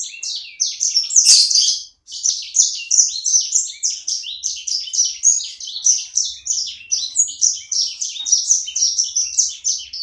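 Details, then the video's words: Owner's small sanger bird, singing actively (gacor). A long, fast, high warble of short chirps and trills runs almost without pause for ten seconds, with one brief gap near the two-second mark. "Burung sanger ku ( sikecil gacor )"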